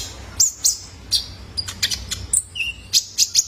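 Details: Juvenile male purple-throated sunbird heard as a training lure for cage birds: very high, sharp tweets in a fast uneven series, with one short lower whistle near the end.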